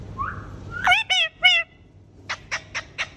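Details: Pet green ringneck parrot: a soft whistled note, then three bright harmonic chirps in quick succession, then four short, evenly spaced, broadband clicks.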